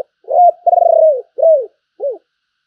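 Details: Decoy spotted dove giving its gáy gọi call. One phrase of deep coos: a short note, a long vibrating falling coo, then two shorter descending coos trailing off.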